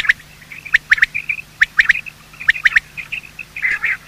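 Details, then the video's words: Male and female quail in a morning call series used to lure birds for hunting: sharp notes in small groups of two or three, separated by short gaps and soft twittering, ending in a muted chatter. "Quail calling sound"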